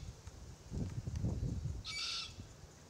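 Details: Low crunching of adults feeding on Marri gumnuts gives way to one harsh, high begging squeal from their young Forest Red-tailed Black-Cockatoo.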